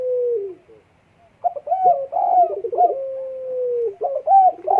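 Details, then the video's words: In breeding condition, a spotted dove calls with a falling coo, pauses, then gives a rapid string of short throaty coos and a long level drawn note before more clipped phrases. "EMUSI KUAT BURUNG PUTER DEKUKUR LAGI BIRAHI"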